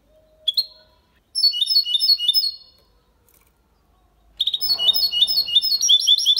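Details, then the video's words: Hybrid of goldfinch and canary delivering its clean training song for females and young birds: a short note, then a burst of quick high twittering, a pause, and a longer rapid chattering, tinkling phrase. "Mixto de Jilguero Cantando Limpio sin errores"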